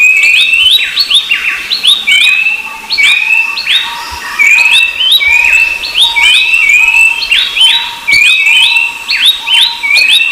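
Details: Rufous-browed babbler calling noisily, heard together with a second babbler species: rapid, overlapping whistled notes with bright upward sweeps, repeated roughly every second, over a steady low hum.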